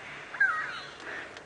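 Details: In the African bush at Djuma Game Reserve on an afternoon safari around 3:30 PM on 27 September 2016, a go-away-bird gives a harsh, nasal, drawn-out alarm call that dips slightly in pitch. It is a lookout bird alarming at threats such as leopards.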